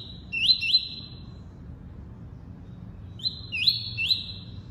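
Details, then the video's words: Tuí-tuí song of a double-collared seedeater: two bursts of sustained high whistles, each broken by a pair of rapid rising slurs, separated by about two seconds of quiet and a faint low hum. "COLEIRO FLASH ENCARTE (TUÍ-TUÍ)"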